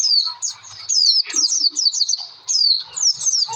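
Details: Oriental white-eye, locally pleci, in a lure song used to make other birds sing: rapid high twittering with thin descending whistled slurs, bursts separated by brief dips, faint low murmur beneath.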